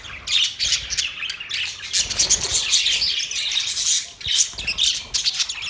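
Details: Budgies produce lively, scratchy twittering with quick staccato chirps, with loud bursts near the start and again toward the end.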